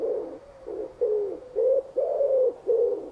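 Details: Pigeons give deep, muffled, rolling rhythmic coos, about five short throaty phrases in quick succession. This is a group contact call of a gregarious bird, made with the air-inflated throat acting as a resonance chamber, and is used to attract pigeons.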